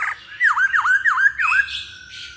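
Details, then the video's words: Lure recording of masked laughingthrush song: four clear downslurred then upswept whistles in quick succession, followed by a fading level whistle and softer hissing notes. "Pancingan Poksay Hongkong Paling Ampuh"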